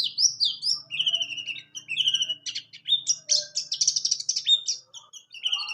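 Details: White-eye of the pleci buxtoni kind singing a quieter, varied warble for training other birds: slurred high whistles, lower sweeping notes, buzzy rattling passages, over a soft low background hum.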